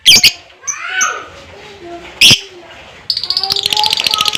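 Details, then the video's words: Fighter lovebird, ngekek song used to prompt other lovebirds: scattered harsh squeaks and a few softer whistled notes, then a rapid buzzing trill of high clipped pulses starting near the midpoint and carrying to the end. "LOVEBIRD NGEKEK PANJANG DAN GACOR,Dengan Suara Fighter Ngetik,Ngekek Panjang"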